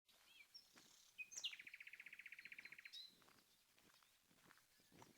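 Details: Common nightingale phrase: a few high thin whistles and a sharp note, then a fast harsh rattling trill of about twenty even pulses over a second and a half, ending with a high squeak; quiet outdoor background with soft rustling.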